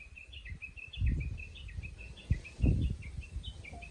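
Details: Japanese bush warbler in a countryside chorus: an unbroken run of quick, wavering whistled notes repeated several times a second, over louder low thumps and rumbling noise.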